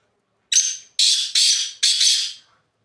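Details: A black francolin calling from the top of a rock gives one loud, harsh, grating phrase of four rasping notes in quick succession, the first short and the last three longer; no other sounds.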